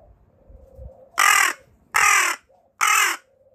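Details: A captive carrion crow with leg and wing disabilities gives three loud, harsh, hoarse caws in quick succession, each about half a second long and nearly a second apart, against a quiet background. Recorded September 13, 2022.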